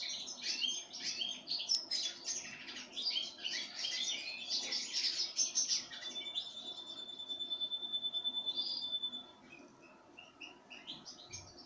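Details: Pine grosbeak fed sunflower seeds: about six seconds of busy, overlapping chirps and short warbled notes, then a long level whistled tone, then sparse soft chirps as things quieten.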